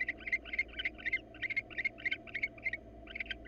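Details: Female barn owl, wild, soliciting a reluctant male to mate early in the season during hot weather; quick, clipped twittering notes repeated several times a second in uneven bursts with brief pauses.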